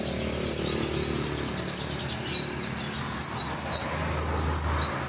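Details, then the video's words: Energetic song of a kolibri ninja sunbird for tutoring: scratchy high bursts followed by clear, piercing chirps in small clusters, against faint low hum. "Kolibri Ninja Gacor Masteran Jos"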